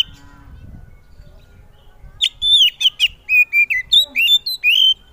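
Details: Loud song of an Oriental magpie-robin, a popular contest bird, meant to set other magpie-robins answering: after a quiet start, a lively sequence of sharp notes, slurred whistles and short warbles.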